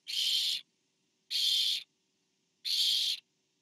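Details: Barn owl nest on camera, 24 September 2015, parent delivering food to owlet number four; three long, harsh hissing screeches, evenly spaced about 1.3 seconds apart, otherwise quiet.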